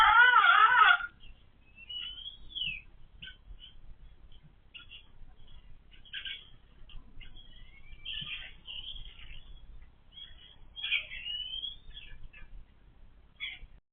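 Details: Laying hens, described as getting super noisy once egg-laying started; a brief, loud, wavering, harmonic cackle opens the passage, followed by sparse, soft, short chirps and squeaks over a quiet background.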